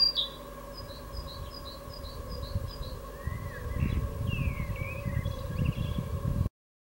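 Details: Great tit singing its evening song on 16 April 2022: a quick high two-note phrase repeated about eight times over three seconds, followed by other birds' sliding whistles and a low rumbling background.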